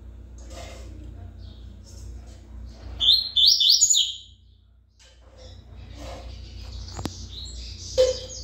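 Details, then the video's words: Good-singing coleiro with Tui Tui song: one loud quick phrase of rapid high sliding notes in the middle, surrounded by quieter rustles and soft background noise. "coleiro Tui Tui bom cantador"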